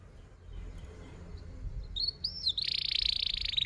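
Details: Canary song for training young canaries to sing, starting amid low background rumble: two arched whistles, then a dense, quickly pulsed, buzzy roll that grows louder to the end.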